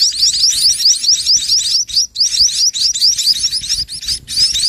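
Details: Mother sparrow feeding her chicks toward evening, more intensively before night so they do not go hungry; rapid high upslurred chirps, several per second, overlapping in a busy insistent chatter with brief pauses.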